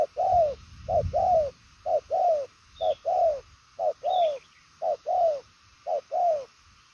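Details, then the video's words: Spotted dove of the đồng son chân tím kind giving rapid, far-carrying coos, each phrase a clipped note and a longer falling one, repeated about once a second; a low rumble at the start and occasional faint high chirps. "Đồng son chân tím gù quá tốt, nước xa tốc độ bài lối"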